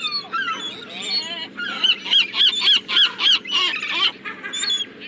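Several gulls call over one another with harsh, nasal cries, including a run of quick, evenly spaced yelping notes about three per second.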